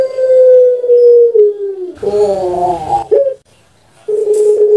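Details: Puter pelung dove kept in Indonesia, master recording for song training: the tail of a long falling coo, a rough gurgling roll, a short rising note, a pause, then a new sustained coo.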